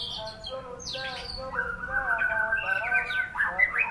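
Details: White-rumped shama (murai batu) singing in an impressive, luxurious rhythm: a high opening phrase, then long level whistled notes, ending in quick rising chirps over faint steady background tones.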